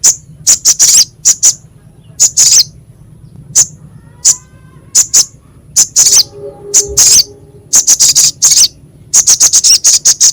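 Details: Crescent-chested babbler recorded as a masteran for tutoring songbirds, rough and sharp-voiced: scattered harsh, high rasping notes in irregular clusters, with a faint low tonal hum midway.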